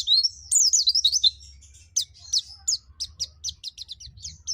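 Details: Nembak song of a Pacitan Dakun white-eye with mantenan and zipper witwit phrasing: a fast warbled opening run, then evenly spaced short high ticks about every third of a second, with a low hum underneath.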